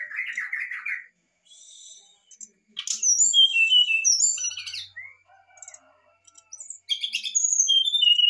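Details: Brown-chested jungle flycatcher in agitated song, used to provoke other birds to answer: a buzzy warbled opening, then a varied string of high clear whistles and twittering notes, with short pauses between bursts.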